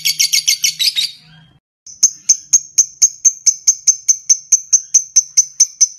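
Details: Lovebird, 'ngetik' typing call used to get a long 'ngekek' trill: a short harsh chattering burst, a pause, then crisp high ticks repeated steadily about three per second.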